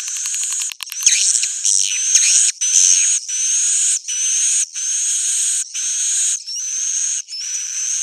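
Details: Swiftlets' roosting call used as a lure: rapid clicks at first, then a run of regular buzzy bursts just under a second each, separated by short gaps, with rising whistle notes.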